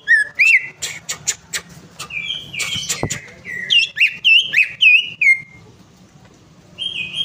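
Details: Greater green leafbird lure song for a bird that has stopped singing: sharp clicks and ticks, then a run of rich whistled and warbled notes. A sudden knock sounds midway, followed by a near-quiet stretch and a final whistle.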